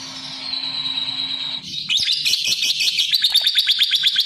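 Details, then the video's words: A lovebird's high steady tone gives way to harsh, buzzy chattering pulses that grow louder and quicker over the last two seconds. "Suara Kicau Burung LOVEBIRD"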